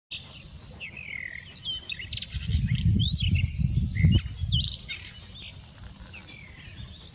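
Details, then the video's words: A male blue rock thrush (Monticola solitarius) sings on 24 March 2019, giving quick, varied phrases of clear warbled and whistled notes over a steady low rumble of wind or distant traffic. "囀るイソヒヨドリ♂ isohiyodori"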